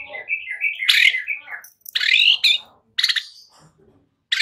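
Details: White-rumped shama song used to coax young birds into singing, made of harsh, buzzy, broadband bursts and chattering phrases broken by short pauses.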